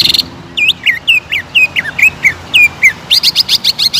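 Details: Greater green leafbird singing aggressively after provocation: clear looping whistled notes alternating high and lower, about three per second, ending in a quick burst of sharp high twitters.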